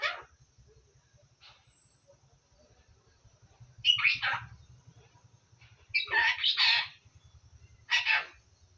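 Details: Assamese-speaking pet parrot, known for phrases like "ki korisa?". Scattered raspy, speech-like syllables come in short bursts, including one two-part phrase, over a steady low mechanical ticking.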